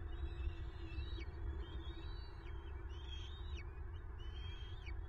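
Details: Bald eagle calls at a Southwest Florida nest, 9 March 2023, while a female grabs prey: high, level whistled chatters each ending in a sharp downward slur, in three or four bursts, with constant low wind roar.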